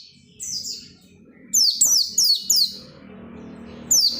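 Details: Oriental white-eye singing persistently, used to encourage other white-eyes to sing: high, thin notes that slide steeply downward, given in quick bursts of three to four with short pauses, over a low steady hum.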